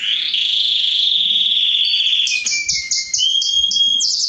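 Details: Mosaic canary male singing to stimulate mating and teach chicks: a long sustained high whistle sliding gently, then a lower whistled note and quick repeated high chirps at the end.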